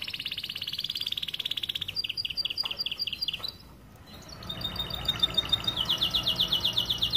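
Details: Starblue canary tutor song for young canaries: a steady high rattling trill, a pause with faint background noise, then clear repeated whistles building into a fast bright trill.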